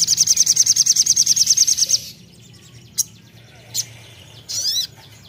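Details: Crimson sunbird song: a fast, high, even trill of sharp repeated notes lasting about two seconds, then a pause broken by a few isolated bright chirps and a short buzzy burst, with faint low background hum.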